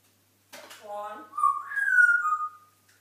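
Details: Pet African grey parrot, dancing and whistling indoors: a short speech-like note, then a clear whistle that rises and slides gently down, held about a second.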